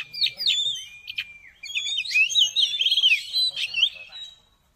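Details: Song of an Oriental magpie-robin, played to boost a caged bird's excitement; opening whistled slurs, a brief pause, then a rapid chattering trill of mixed whistles that fades out.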